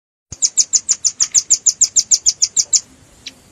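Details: Velvet-fronted nuthatch (red-billed), in a lure recording for bird trapping mixed with juvenile calls: a rapid, even run of about fifteen high, sharp chips lasting two and a half seconds, then one faint note.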